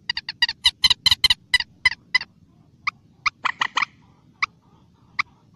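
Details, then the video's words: Wild common moorhen (mandar batu) giving a fast run of about ten sharp clucks, then slower scattered single kek notes spaced up to a second apart, fading out; otherwise quiet surroundings. "BURUNG MANDAR BATU DI ALAM LIAR/COMMON MOORHEN BIRD"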